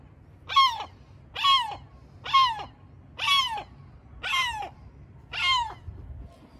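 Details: A gull nesting on the porch of a building gives six loud, harsh, downslurred cries, about one every second, over a low steady background hum.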